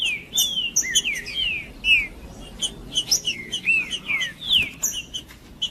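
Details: Green-winged saltator in 'macheando' song, sung to excite and warm up rival males: a steady run of clear, descending whistled slurs mixed with quick high chips, phrases following closely one after another.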